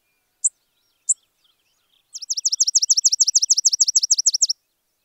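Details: Spizella sparrow giving two isolated high chips, then a fast, even series of about sixteen sharp down-slurred notes forming a dry trill over two seconds.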